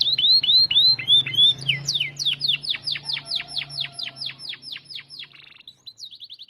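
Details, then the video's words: Canary singing steadily, meant to prompt and teach white-rumped shama: a series of falling whistled notes, then a regular string of loud downward sweeps about four per second, fading into a faint high trill, with a low hum beneath. "Full bongkar isian Kenari Gacor Untuk Pancingan dan Masteran Burung Murai Batu"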